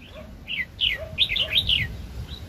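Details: Red-whiskered bulbul, a highly aroused wild bird at a 2020 trapping: loud, clear, slurred whistled phrases repeated in a quick sequence, with short downward-sweeping notes and softer low tones between them.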